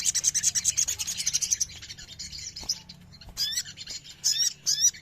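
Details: Ruby-throated myzornis, a group of birds singing together as a therapy recording meant to prompt kept birds to sing. Dense, high, scratchy chattering for about 1.5 seconds, a quieter rasping stretch, then bursts of buzzy, descending chirps near the end.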